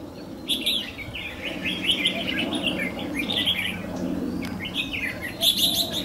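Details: Wild Red-whiskered Bulbuls call continuously at a home in Vietnam, including two males and a female nesting there and birds chasing and fighting in acacia trees: bright, chirpy warbled phrases, several birds overlapping in quick bursts over a low background murmur.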